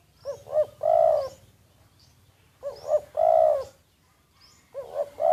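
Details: Decoy spotted dove, covertly recorded, giving mellow coos. Each phrase has two quick hooked notes leading into a long sustained coo, repeated roughly every two and a half seconds.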